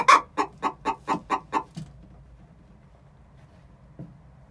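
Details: Egg song before laying from a pair of six-month-old chickens: seven evenly spaced clucks that fade away, followed by near-silence and one faint cluck.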